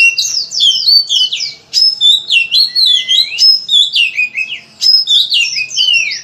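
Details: Loud, full Oriental magpie-robin (kacer) song used as a lure to get other kacers singing: a dense, continuous stream of varied whistles, slurs and harsh notes, rising and falling, with barely a pause.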